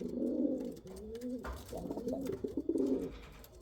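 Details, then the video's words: Dense, continuous pigeon cooing, low and burbling, runs throughout with overlapping rolling phrases and hardly a pause. "Pigeon sound | kal cheeni kabutar sound | Rampuri kabutar sound"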